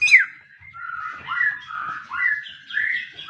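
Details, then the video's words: Magpie-robin singing a slower phrase: one sharp high note, then sliding mid-pitched whistles that rise and fall in loose bursts about every half second. "denger suara burung murai ini murai kalian pasti gacor"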